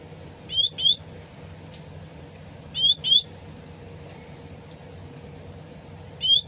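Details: Sooty-headed bulbul lure song, its original voice: short paired whistled phrases, each a quick rise and dip, repeated about every two seconds against a constant low murmur of trickling water.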